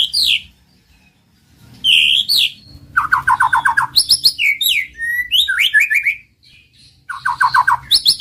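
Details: White-rumped shama song used as a master recording to rouse a silent bird's arousal and urge to sing: varied loud whistled phrases, downslurred notes and rapid repeated chips in bursts separated by short pauses.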